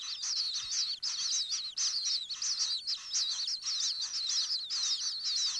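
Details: From inside a common kingfisher nest burrow, repeated bursts of high, bright chirping notes roughly twice a second, each burst a quick jumble of upward and downward slurs.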